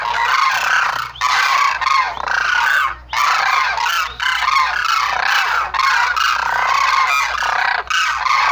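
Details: Loud, rasping Sarus crane calls repeated in dense, overlapping phrases of a second or so, with short silences between them.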